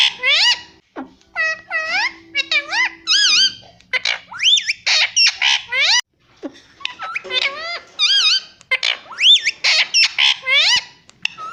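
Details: Pet ringneck parrot talking indoors, mimicking words like mummy and papa; a long run of bright, bending whistled syllables and harsh squawky notes, delivered in quick bursts with brief gaps.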